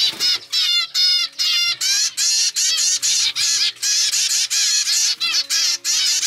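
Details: Captive zebra finch chick, one of a normal grey brood raised by pied parents, begging for food in an unusual way; rapid, rhythmic bursts of buzzy, harmonic high calls, about three per second, over soft background music.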